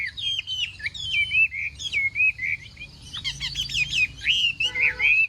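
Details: Chinese hwamei singing in a contest during morning practice: fluid, slurred whistles descending in steps, broken by a spell of rapid sharp chips, then resuming with loud looping whistles and a low hum beneath.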